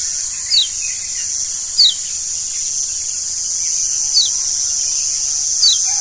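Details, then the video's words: Lombok yellow white-eye (kecial kuning) lure song, played so that kept birds become healthy and sing eagerly; short, high, downward-sliding whistles sound singly every one to two seconds over a loud steady hiss. "Pancingan Kecial Kuning Ampuh Bikin Kecial Jadi Sehat Dan Rajin Bunyi"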